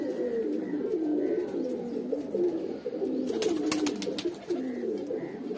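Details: Many Dubai-bred Pakistani teddy pigeons in a loft coo together in a steady, overlapping chorus of low, rolling notes, with a burst of sharp clicks and wing flutters midway.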